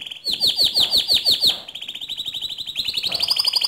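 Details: Canary delivering 'ngerol nembak' song to provoke another canary: a quick series of sweeping notes, then a long, even rolling trill that climbs higher at the end.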